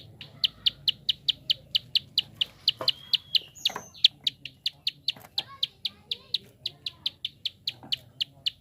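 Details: Long series of quick, sharp prinia clicks, used to get other birds singing; the high ticks run at about five per second, briefly broken midway by a few softer chirps and a whistled note.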